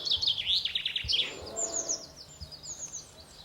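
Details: A bird singing in a tree in Normandy: a bright, high tumbling phrase of rapid twittering notes and trills, loudest at the start, then softer high chirps trailing off, with light low rumble behind.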